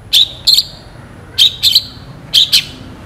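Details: A long-tailed shrike in lively song gives crisp, scratchy high notes in tight pairs, each pair separated by short pauses, sharp and clean against a calm background.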